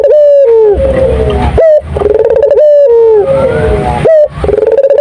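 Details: Repeated loud cooing of a turtle dove in vigorous song, each phrase a held tonal note that drops gently at its end, joined by short rising notes, roughly two phrases every five seconds.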